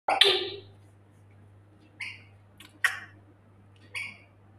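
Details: Female African grey parrot indoors, said to want to go outside: a loud harsh squawky burst at the start, then three short rasping vocal bursts spaced about a second apart over a steady low hum, ending just before a spoken word.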